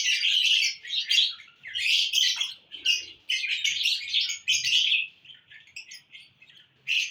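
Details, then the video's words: Happy-mood lovebirds chattering on June 1, 2022: continuous shrill, scratchy chirping in overlapping bursts, fading into sparse squeaks near the end before one last sharp burst. "love birds in happy mood"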